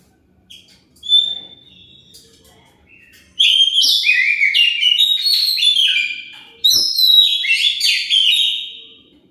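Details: Oriental magpie-robin song played as a lure to make other birds answer: a lone thin whistle and a sharp note, then two long bursts of fast, varied whistled and scratchy phrases, clean with no background sound.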